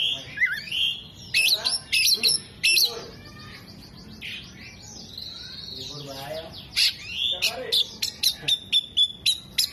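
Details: Oriental magpie-robin in vigorous song, tail spread, mimicking hummingbird, jenggot and lovebird: loud shrill bursts at the start, a softer rasping stretch in the middle, then a string of short high whistles repeated quickly.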